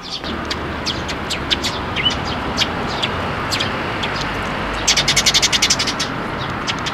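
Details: Sparrows flocking into a plum tree at a shrine to be fed, recorded 12 May 2023; quick, bright chirps overlap throughout, with a dense burst of rapid repeated chirping near the end over steady low background hum.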